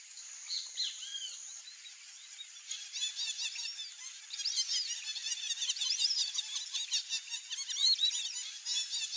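A flock of white-faced whistling ducks gives many high, clear whistles that overlap, building into a dense chorus after a quieter opening.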